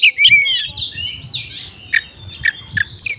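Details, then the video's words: Oriental magpie-robin in konslet style with small-bird material, a lure to prompt unresponsive magpie-robins: bright slurred whistles and chattering notes open the clip, then a long thin high whistle is broken by short sharp bursts. "PANCINGAN KACER KONSLET MATERI BURUNG KECIL"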